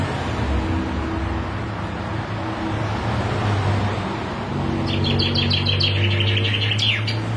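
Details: Common chaffinch song arriving late: a fast series of high, bright repeated notes descending slightly and ending in a brief flourish, heard over a loud, steady low rumble of traffic-like noise.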